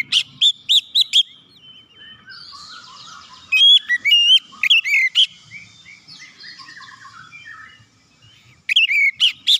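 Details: Oriental magpie-robin song meant to provoke other birds into singing: quick bursts of loud whistled notes at the start, middle and end, separated by soft continuous twittering and warbling.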